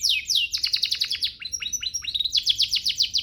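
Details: Training master song of a canary: rapid repeated downward-sweeping notes in quick rhythmic series, a short buzzy pause, then a second burst of fast rolling trills.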